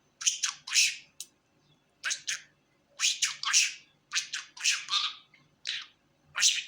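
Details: Happy pet budgerigar making spaced bursts of harsh, scratchy chirps and squeaks, roughly one to three per second, between short quiet gaps.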